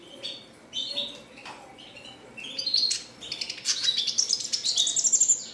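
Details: Singing red siskin: quiet scattered high twitters at first, building into a loud dense buzzy trill and rapid chatter in the second half.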